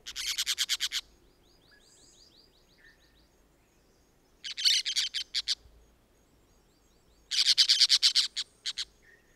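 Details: A pair of orange-chinned parakeets in Costa Rica calling in three bouts of rapid, high, buzzy chattering notes, with quieter soft chirps and a brief faint whistle in the pauses.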